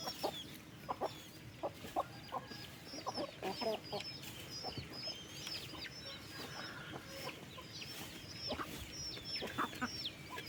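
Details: Many farm chickens during afternoon feeding on 15/08, clucking in short low bursts scattered throughout, with a steady chorus of high, quick chirps overhead and a soft background rumble.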